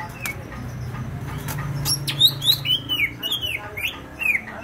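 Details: [8, 'Greater green leafbird, Banyuwangi, East Java, in active song: after scattered clicks, loud high whistled slurs sweeping down, several in quick succession, then a final rising note.']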